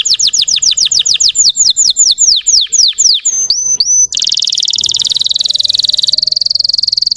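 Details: Lure song of a Russian canary for provoking other caged canaries: slower falling slurred whistles about four per second, a few sharp upward notes, then a fast, high, buzzing roll held to the end.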